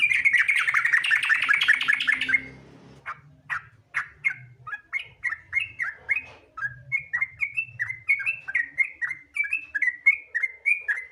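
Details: Sooty-headed bulbul in continuous lively song, played as a lure to make other bulbuls sing: a burst of loud buzzy noise, then a long run of quick whistled chirping notes repeated several times a second, with a low hum beneath.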